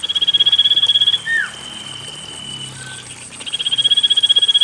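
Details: Common iora song intended to get lazy caged birds singing: loud rapid trill, a falling whistled slur, a quieter gap with a low short note, then the pulsed trill again, over trickling water.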